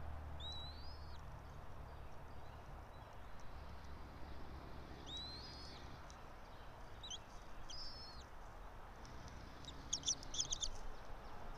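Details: Bald eagle calling from a nest about 90 feet up a pine in Johnson City, Tennessee, 06:28 on 04.03.2024; several fairly soft, high rising squeals, followed near the end by a quick high chattering from another bird, over low hum.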